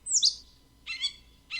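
Gray Catbird giving a quick run of varied notes: a high, sweeping whistle, then two harsh, buzzy phrases about half a second apart.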